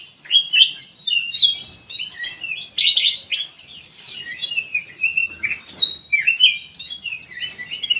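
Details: Lure recording of a sooty-headed bulbul meant to provoke an immediate reply: busy, high twittering and quick warbled phrases pouring out almost without pause, some notes sharper and louder in bursts.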